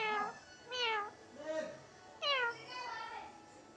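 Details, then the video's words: Pet Indian ringneck parrot talking "miaoon" in a cat's voice: a run of five clear, nasal, meow-like calls, some falling and some rising and bending, spaced unevenly about every half second to second. "Billi ki Awaz | Funny Parrot Talking Miaoon in Cat's Voice"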